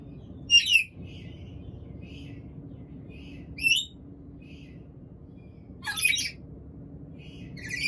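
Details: Hungry black-capped lory giving harsh, raspy screeches at roughly three-second intervals, each a short burst, with softer brief squeaky notes between them over a steady low hum.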